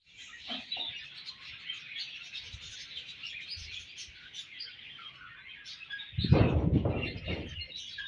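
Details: Budgerigar colony in the morning, a dense, continuous chatter of high chirps and warbles from many birds, with a loud low rumbling thump about six seconds in.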